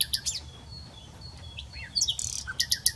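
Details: Common nightingale singing: varied phrases of sharp high chirps, rising and falling whistled slurs and a burst of rapid notes, with faint thin tones between and soft low background rumble.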